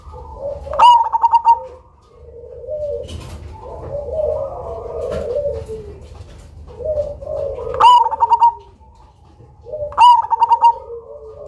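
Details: Zebra dove of the Cemani strain, valued as a loud lure singer with a unique rhythm, repeats its pulsed coo phrase three times, each a sharp note plus rapid beats, over lower sliding background coos.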